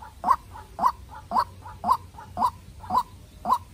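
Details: White-breasted waterhen, young captive decoy bird fighting a wild rival: loud, hoarse, slightly rising notes with faint soft notes between, repeating regularly about twice a second over low hum.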